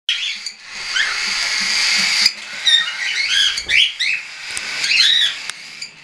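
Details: Young hand-tame cockatiels, some weaned and some not yet, flying about indoors on 10 September 2012; bursts of chirpy, arched calls in uneven clusters, with brief quieter gaps and a couple of sharp clicks.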